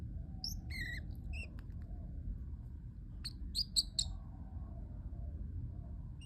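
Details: Parrotlet as a household pet producing small clusters of high chirps and a squeaky note, a pause, then a quick burst of about four sharp chirps over low hum.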